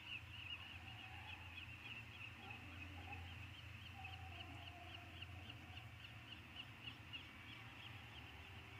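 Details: Three young peregrine falcon eyasses, now very mobile, back together in the eyrie on Anacapa, 6 June 2019, give a steady stream of high, scratchy squealing notes, three or four a second, over a low rumble of wind or surf.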